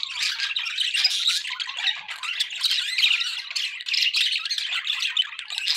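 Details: Several pet budgerigars chattering continuously indoors: a dense, overlapping stream of scratchy warbles, chirps and squeaky notes with no pauses.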